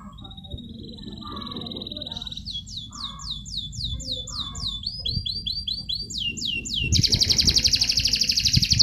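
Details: Canary contest training song: a long steady high whistle, then series of rapid descending slurred notes repeated in rows, ending in a loud buzzy high trill, over faint low background noise.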